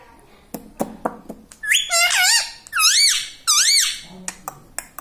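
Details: Talking parrot at home, said to repeat "mummy" and "radhe radhe", produces three wavy, bright speech-like phrases among scattered clicks and light knocking.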